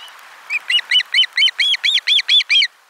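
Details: Osprey at nest 4 on 12 July 2022 during a lunchtime fish delivery: a rapid, steady series of ten loud, arched, whistled piping notes, roughly four per second.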